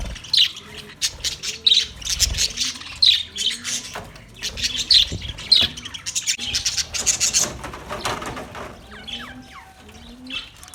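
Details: Flock of budgerigars, 9 March 2024, producing busy high-pitched chatter of quick squeaks, clicks and warbled chirps in irregular bursts, with a faint low cooing underneath.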